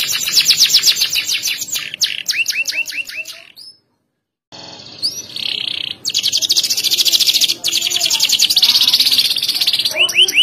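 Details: Canary singing for competition judges, loud and sharp with rich, varied phrasing: rapid repeated high chirps and rising sweeps, a brief silence near four seconds, then a dense, fast, continuous trill ending in quick upward notes.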